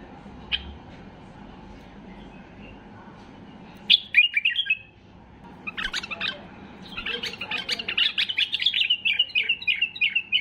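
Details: Highly excited white-eared bulbul singing to stir silent bulbuls into song: after a quiet start, sharp descending whistled phrases burst out, then a run of rapid chattering notes around seven to ten seconds over a low background hum.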